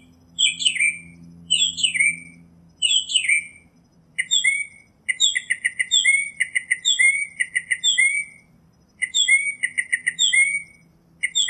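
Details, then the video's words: Singing Northern mockingbird in nature, switching phrase types: slurred downward notes first, then long strings of quick repeated chips and whistles at a steady rapid pace. "Birds Singing - Northern Mockingbird"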